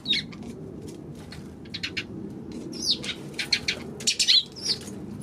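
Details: Eurasian tree sparrows on March 16 give a busy run of sharp, high chirps and tweets, several clustered in quick succession toward the end, over a low rumbling background.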